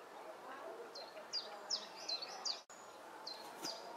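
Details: Egyptian goose goslings, three young with only their mother present, 17 June 2012: a run of shrill, falling piping notes roughly every third of a second, broken by a brief dropout, then a few more peeps over quiet ambient noise.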